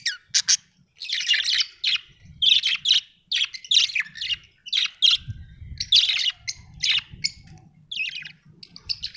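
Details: A happy budgie chatters almost nonstop, with dense strings of buzzy, scratchy chirps and only brief gaps, plus a soft low background hum.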